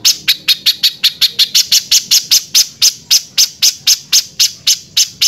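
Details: Spiderhunter delivering a harsh, rasping song for training other birds: evenly spaced, piercing high chips at roughly four per second, loud and clear over a quiet background.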